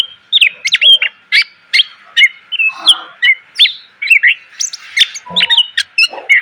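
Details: Greater green leafbird, a cage bird, in a full song used for training other cage birds: rapid varied whistles, chips and slurred notes, dense and continuous, with a steady faint hum underneath.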